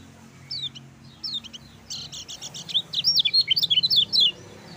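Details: Song of a lemon-bellied white-eye, meant to stimulate reluctant birds to sing: starts with scattered sharp chirps, then builds into a fast, continuous run of high, rising and falling slurred notes.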